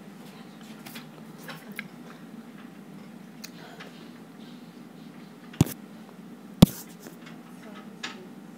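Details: Quiet indoor room tone with soft ticking and two sharp loud clicks, no animal voice.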